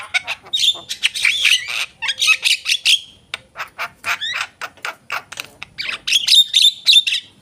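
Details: Javan myna chattering continuously with rough, buzzy squawks in dense clusters, interspersed with clicks and bright whistled notes near the end.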